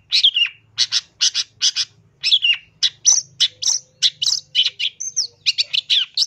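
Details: Pentet lure sound meant to make listening birds respond quickly: sharp, harsh chattering notes repeated about three times per second with short gaps, mixed with a few clear high whistles near the end.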